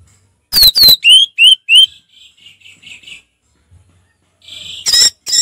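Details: Orange-headed thrush singing in relaxed ngeplong style: five loud, clear rising whistles in quick succession, then a run of softer warbled notes, and harsh buzzy bursts near the end.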